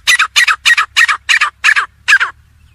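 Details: Partridge (teetar) giving a run of seven loud, harsh, paired notes in a steady rhythm, each pair rasping with a falling inflection, then stopping.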